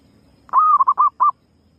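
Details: Female zebra dove lure sound: one clear cooing phrase, a long even first note followed by three brief, rounded coos spaced evenly, with quiet low hum behind.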